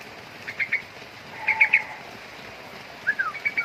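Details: Young sooty-headed bulbul calling: short bright chirps in quick groups of three, then a brief falling slurred note and further chirps, over a steady low background hiss.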